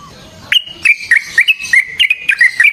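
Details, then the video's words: Yellow-vented bulbul lure song, clear-toned, meant to prompt other bulbuls to answer: a brisk string of whistled, slurred notes, about four per second, over a quiet background. "Burung TRUCUKAN GACOR Ropel Panjang Cocok untuk PANCINGAN Trucuk bahan dan MASTERAN Burung Trucukan"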